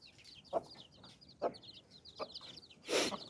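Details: Mother hen with nine chicks, clucking to call them under her wings for protection, rest or sleep: a few short, low, soft clucks spaced about a second apart. The chicks keep up a continuous high peeping, and a brief louder rustle comes near the end.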